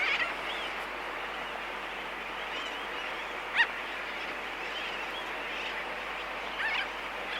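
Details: Laysan albatross recorded close up in a colony, giving sharp isolated clicks near the middle and end of the clip over a steady, dense chatter of distant sooty terns.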